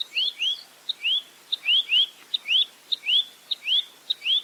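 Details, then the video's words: Velvet-fronted nuthatch, clean 'full roll tembak' master track for training songbirds: brisk run of rising whistled slurs, often in pairs, each introduced by a crisp tick, delivered nonstop. "Masteran Burung Rambatan Mandarin Jernih Full Roll Tembak"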